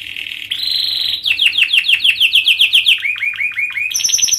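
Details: Canary song for young birds learning to sing: a steady buzzy tone, then a run of evenly spaced downslurred notes, lower slurred notes, and a high ringing trill at the end.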